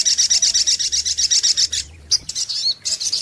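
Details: Lure recording of a sunbird (sogok ontong): a rapid, evenly pulsed run of very high chirps at about four per second, a brief gap, then jumbled high twittering notes.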